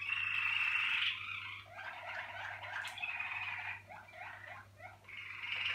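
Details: Malinois Waterslager canary from a 2019 breeding team, singing indoors: a sustained rolling trill around the upper range, then lower bubbling, gurgling water-like phrases with brief pauses, ending in a rising roll, over a steady low electrical hum.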